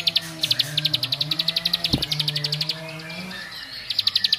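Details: Bar-winged prinia song, meant to agitate other prinias: a fast train of sharp high notes for nearly three seconds, a short pause, then the rapid ticking notes resume, over a low background hum.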